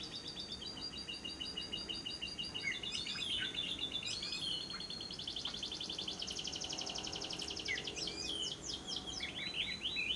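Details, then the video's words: Lovebird giving the long ngekek trill, used as a lure to prompt other lovebirds to sing: dense runs of rapid, high chattering notes that shift pitch and speed over ten seconds, with steady background hiss. "Pancingan Suara Burung Lovebird yang pas untuk Siang dan Malam hari, masteran labet ngekek panjang"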